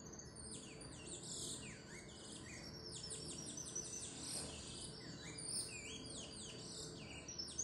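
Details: Saffron finch (canario criollo) kept in a cage, beating its wings as it sings a dense, continuous stream of high chirps, trills and quick downward-sweeping notes over a constant low background hiss.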